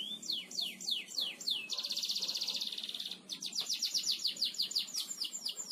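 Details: Gacor ngebor canary singing for a training master: falling whistled slurs, a dense buzzing trill, then a long series of rapid descending sweeps.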